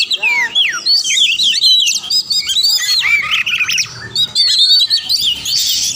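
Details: Oriental magpie-robin song meant to make rivals stop being silent and fight: rising and falling whistles, rapid chips and a noisy buzzy passage near the end.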